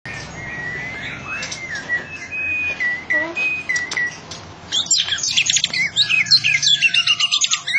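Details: Champion competition white-rumped shama with a loud voice: thin whistled notes over a noisy background, then a sudden burst of dense, rapid, high chattering phrases.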